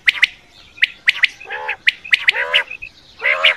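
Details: Quail sounds used for hunting at night: bright clipped double notes mixed with rasping, nasal squawks and brief whistled dots, closely spaced against a quiet background.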